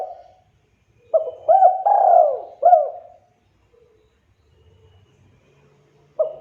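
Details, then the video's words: Energetic spotted dove song played to make other doves reply: one phrase of hooked coos and a long drooping purr, then a quiet stretch before a single coo starts again. "SUARA BURUNG TEKUKUR DERKUKU GACOR"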